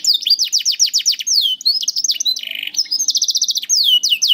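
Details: Canary song played to teach young canaries and prompt birds that rarely sing: quick series of downslurred whistles, a low buzzy tour, then a rapid high trill and more slurred notes.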